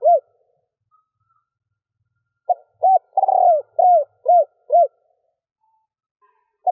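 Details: Female spotted dove giving a stuttering three-ending coo meant to stir males into calling: a run of short, arched, mellow hoots in quick succession, then a pause and one more hoot, in a quiet setting.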